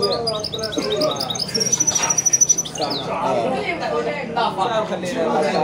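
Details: Goldfinch × canary hybrid (mule) singing: quick high chirps and twitters, then a fast, evenly pulsed trill lasting about a second, followed by more warbled phrases, while a man talks throughout.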